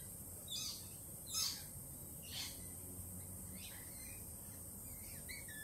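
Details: Lorikeets, uneasy after a Peregrine Falcon attack earlier that week, make three loud, harsh screeches in the first half, then softer scattered chatter, about seventy calls a minute, beneath a constant high whine.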